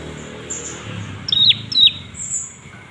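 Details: Olive-backed tailorbird call played as a lure to excite other birds into singing: two loud, sharp, downslurred notes about half a second apart, with fainter high chirps before and after over quiet background.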